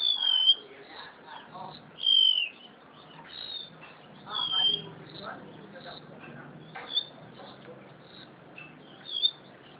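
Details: Crested honeyeater kept in captivity on Java, giving sharp high whistled notes that dip and fall, spaced a few seconds apart over softer murmuring background sounds.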